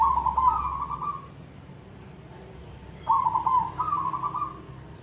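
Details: Zebra dove, locally perkutut, singing actively in the koong style: two mellow rolling coo phrases, each slightly rising then level and beaded, separated by about two seconds of quiet with soft background hum.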